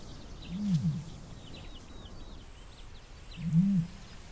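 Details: Wild male common ostrich in the Namib Desert during the breeding season, calling to a female of his harem: two deep, hollow, roar-like booms about three seconds apart, each swelling then fading, with faint high bird chirps above.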